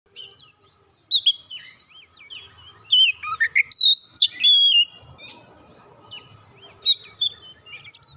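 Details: Oriental magpie-robin, provoked once and turning emotional, pouring out its repertoire: bursts of high whistles, sharp upslurs and chattering notes, loudest in the middle seconds, then quieter scattered phrases over a soft low rumble.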